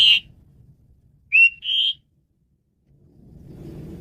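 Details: Varied song of a male Asian pied starling, played to lure and train birds: a loud whistle, then a pair of clear whistled notes, followed by rising low background noise.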